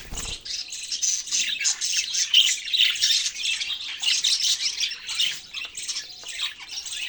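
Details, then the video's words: Budgerigars chattering in rapid, uneven bursts of high squeaky chirps and harsh squawks, roughly three notes a second, continuing throughout with small swells and dips in loudness. "parrot chirping sounds"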